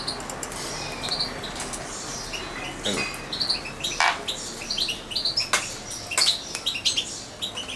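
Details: Almost two-month-old European goldfinch raised by syringe feeding, staying near its owner; many short high chirps and twitters run close together, with several sharp clicks or taps and faint rustling.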